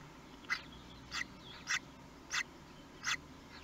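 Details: Common kestrel at its nest in Théding on 23 May 2020, the day of the first hatching: five short, harsh, rasping notes repeated about every 0.6 seconds over a steady low background hiss.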